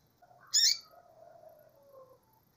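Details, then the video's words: Calling female double-collared seedeater gives a single sharp, rasping chip, followed by soft, wavering low tones that fade out over about two seconds. "femia de coleiro chamando"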